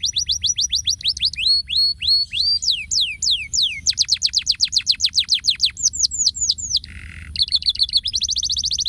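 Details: Canary singing a long varied song: rapid series of descending whistled sweeps, then fast repeated trills and rolled notes, with a brief lower buzzy burst near the end; steady low background hum.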